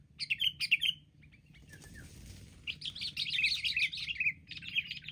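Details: Wild sooty-headed bulbuls attacking together in a group before being caught: bursts of bright, bubbly chattering notes, several short phrases in the first second, then a denser overlapping chorus of warbled chirps with soft background rumble.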